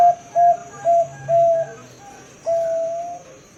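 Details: Perkutut, the zebra dove, Bangkok type in long-voice 'ngerot' song: four short low cooing notes, a pause, then a single long sustained level note over a second long; faint steady high hiss.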